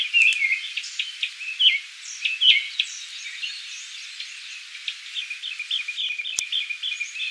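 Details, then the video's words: Japanese thrush singing in Kiyokawa village, Japan: quick varied whistled notes and short chirpy phrases in two bursts, the second a rapid run of repeated notes, with a faint sizzling background and one sharp click. "クロツグミ Japanese thrush"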